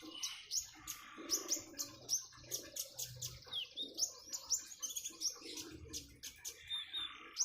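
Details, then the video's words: Common iora with trickling water, a lively series of high whistled upslurs and crisp chirps repeated in steady pulses, with a soft lower warble behind. "Kicauan burung "KONIN""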